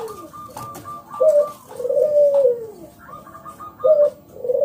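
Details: Local zebra dove singing loudly: short high staccato notes in brief bursts alternate with long, mellow, lower coos that rise and then sag, heard indoors.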